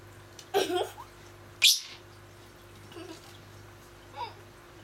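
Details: Pet masked lovebird giving two sharp, bright chirps about a second apart, the second loudest, then faint softer notes; a steady low hum runs underneath.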